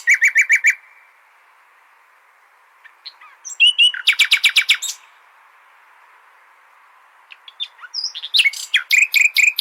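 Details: Nightingale singing, used as a tutor song for goldfinches: three bursts of rapid, loud repeated notes separated by pauses of about two seconds, with a few thin whistles and clicks between them.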